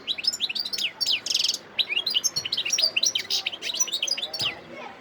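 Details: European goldfinch in Sidi Bel Abbès, Algeria, December 2021, delivering a lively continuous song of high twitters, sharp downslurred notes and a brief buzzy trill, flowing without pause for several seconds.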